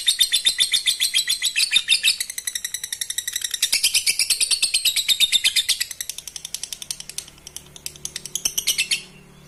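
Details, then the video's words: Lovebird song for stimulating breeding, a long stretch of high, scratchy chatter that thins into quieter rapid clicks and chirps before a final burst, with faint low hum. "Pancing birahi Lovebird anda dengan suara Lovebird ini"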